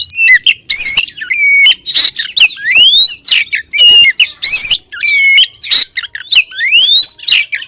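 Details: Female Oriental magpie-robin calling the male as a lure: loud varied whistling with sharp chirps, flat whistled notes and two long rising whistles, nearly continuous throughout.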